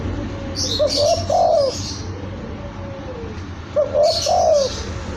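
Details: Young spotted dove singing two cooing phrases of short hoots ending in a longer quavering coo, spaced about three seconds, with a steady humming background and faint chirps above.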